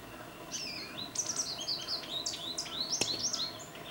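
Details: American goldfinch recorded with a Nikon D800 camera: a lively, rambling run of high, slurred and bouncy twittering notes, rising and falling quickly, with a sharp click near the end and faint background hiss.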